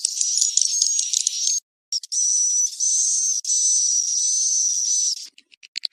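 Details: Swiftlet roost call for swiftlet farming, cave-crossing type: high buzzy twitter with a level whistle, stopping briefly after about a second and a half, then resuming, and ending in a few scattered sharp chirps.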